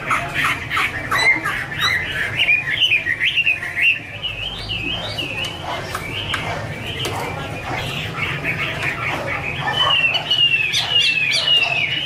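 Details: Chinese hwamei female delivering a 'mái te' song as a male sings behind: long, continuous flow of wavy whistles and clipped chatter with sharp clicks, varied and unbroken, over a low constant hum.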